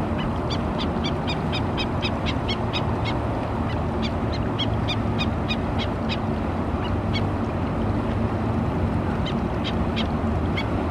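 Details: At Oso Creek, Laguna Niguel, California, on April 29, 2017, a mother Black-necked stilt alerts her foraging chicks: bursts of quick, sharp yips in uneven clusters with brief pauses, set against a continuous low background roar.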